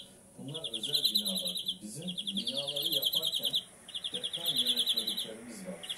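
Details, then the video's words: A European greenfinch (Carduelis chloris) sings rapid, ringing trills, each about a second long, repeated with brief pauses, as a man talks quietly underneath. "Greenfinch Song"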